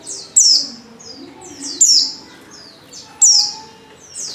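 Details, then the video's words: Female Oriental white-eye call used to lure males into song: loud, high downslurred chirps about every one and a half seconds, each followed by a softer echoing note. "pancingan pleci betina paling ampuh,bikin pleci jantan ngalas"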